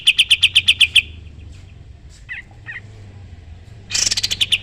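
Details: Sooty-headed bulbul song used as training material for other songbirds: a fast run of about eight sharp high chirps in the first second, a few soft scattered notes, then a dense burst of rapid chatter near the end.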